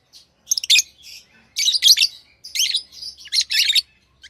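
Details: Lovebirds kept as pets chirp in four loud clusters of harsh, buzzy, high-pitched notes, each cluster under half a second, with faint twitters between and a low hum underneath.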